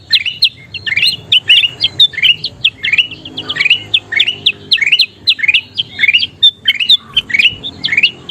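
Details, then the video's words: Bulbul called kutilang emas, singing gacor as a training masteran: dense, rapid sequence of bright chirps sliding up and down, repeated steadily across the recording, little background noise. "SUARA KUTILANG EMAS GACOR PALING DICARI"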